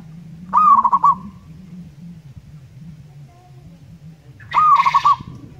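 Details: Indonesian local zebra dove singing loudly: two rapid pulsed coo phrases, each a rising note then a fast stutter of beats, separated by about four seconds, with a constant low background hum.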